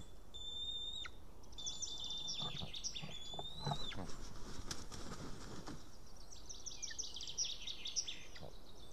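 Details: White-tailed eagle at an Estonian nest, 8 June 2018 around 12:54 pm, the male back from ringing with a fish he lost. A long high whistle, then chattering notes mixed with wing flaps and bumping, more chatter near the end.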